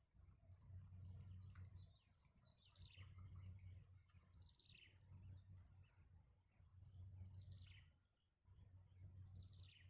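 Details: Nestling birds begging while being fed by their mother in the nest: high thin descending squeaky chirps in rapid overlapping bursts, with a steady low hum underneath.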